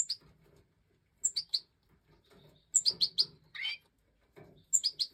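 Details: Breeding-season European goldfinch, Major form, 2024: clusters of three to four sharp high chirps separated by pauses, one harsher buzzy note in the middle, faint low rustling beneath.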